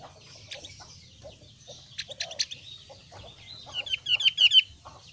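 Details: Javan grey-throated white-eye of the thin-browed variety: scattered soft chips, then a rising flurry of five or six sharp, high, slurred notes near the end over a faint low hum.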